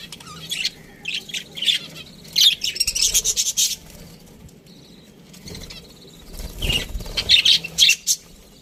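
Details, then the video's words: Budgerigars kept in an aviary chirping in two clusters of quick, scratchy high notes with a quieter stretch between, plus a soft low thump near the end. "Budgies Parrot chirping sounds"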